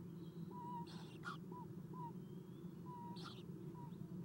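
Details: Eastern Screech-Owl owlets being fed in a nest box on a nest cam at 7:04 am, 11 April 2016; short soft whistled notes repeat irregularly among brief raspy hissing bursts, over a steady low hum.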